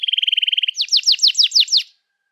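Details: Canary singing long and fiery with 'cuit cuit' phrases, meant to prompt young canaries to learn song; a fast, even trill of clipped high notes gives way to seven louder, sharply falling sweeps, then silence.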